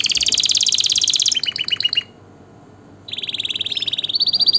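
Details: Canary singing, meant to excite birds for breeding and to teach young: a rapid high trill, a few short down-slurred notes, a second of near silence, then an even rolling trill that steps higher in pitch.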